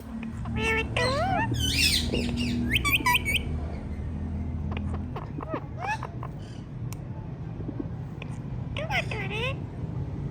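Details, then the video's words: Talking ringneck parrots give a run of high, harmonic, speech-like warbles and squeaky rising-falling notes, clustered in the first few seconds and again near the end, over a steady low engine-like hum. "Talking Ringneck Parrots"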